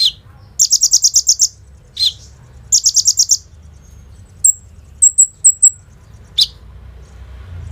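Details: Kolibri ninja sunbird lure recording, song filled with bren and rambatan imitations, taken on a phone: short high trills and lower slurred chips, then a run of thin, very high, separate whistled notes.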